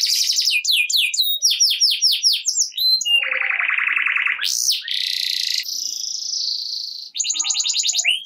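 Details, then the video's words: Canary singing gacor style to spur lazy canaries into song: quick descending sweeps give way to long sustained buzzy rolls and steady whistled tones, then a final burst of rapid high trilled notes. "Kenari Gacor Ngerek Cocok Buat Kenari Yang Malas Bunyi Jadi Ikut Bunyi Seketika || Voice of Canary"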